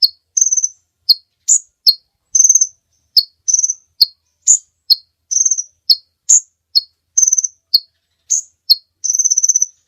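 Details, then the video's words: Sunbird, known locally as kolibri ninja, in long-running song recorded for training other birds: sharp high chips alternating with short rapid buzzy trills, about fifteen phrases in ten seconds, no background noise. "Suara Burung Kolibri Ninja Pikat gacor Durasi Panjang mantab buat masteran"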